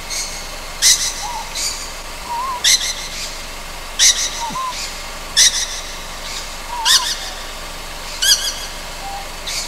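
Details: At night on Amami Ōshima, a young Ryukyu scops owl gives loud, rasping, hiss-like calls at an uneven pace of about one per second and a half, with faint, low, bent whistles in the gaps.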